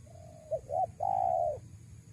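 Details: Spotted dove cooing to lure wild doves: a soft low note, two short clipped coos, then one long, even, mellow coo, over a faint steady hum.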